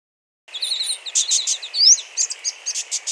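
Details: Two brown thornbills mimicking a chorus of other calling species shortly after their nest was disturbed: a quick, high medley of paired chips, buzzy bursts and one sharp rising whistle, with scratchy notes repeated about three times a second.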